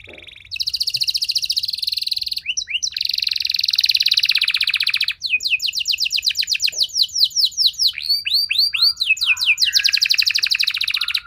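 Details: Canary in sustained song: long, dense buzzing trills of very fast repeated notes broken by brief sweeps, then a series of curved descending whistles and another extended trill.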